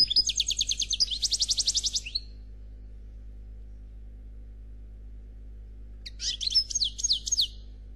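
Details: Black Khalwi European goldfinch giving faultless song: twittering notes running into a fast buzzy trill, several seconds of silence, then a phrase of sharp downslurred chirps.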